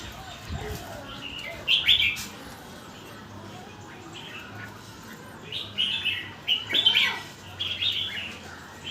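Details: Red-whiskered bulbul delivering its song phrases in rapid sequence: short bright whistled bursts near the start, then a cluster of chirpy warbled notes after a quiet gap, over faint background hum.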